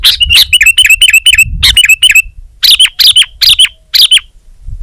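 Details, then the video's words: Sooty-headed bulbul singing vigorously, with a fast string of bright, slightly falling chirps, a short gap, then four louder spaced notes. "Suara Burung Kutilang Gacor Terbaik 2022"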